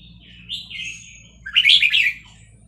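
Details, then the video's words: Vietnamese red-whiskered bulbul singing along, stirred by played chick sounds, in a rapid linked style; a soft sliding phrase leads into a sudden loud burst of chattering warbled notes over low hum. "นกกรงหัวจุกเวียดนาม ต่อดอกเร็ว เปิดยั้วลูกนกฟักแล้วคึกร้องตาม"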